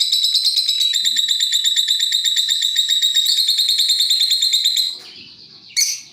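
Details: Long, rapid, unbroken lovebird chatter, a fast rattling trill of shrill notes lasting about five seconds, then a short squawk; used as a lure with birds answering each other.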